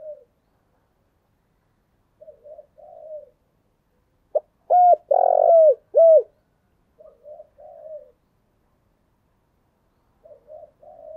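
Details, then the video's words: Lure recording of a spotted dove performing its full repertoire of urging, cooing, crowing and calling songs: quiet murmured coos, then a loud burst of four hooked, deep coos bunched together, trailing back into soft gurgles amid silence. "Chim cu gáy chơi đủ bài thúc gù gáy gọi"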